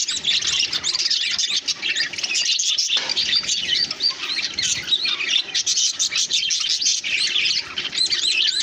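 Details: Group of green, yellow, blue and grey budgerigars eating together keep up a dense, continuous warble of high chirps and chattering squeaks.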